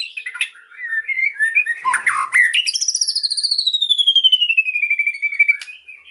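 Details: Murai (white-rumped shama) singing pastol style with cililin mimicry: choppy warbled notes give way to a long, high, quivering whistle that slowly slides downward.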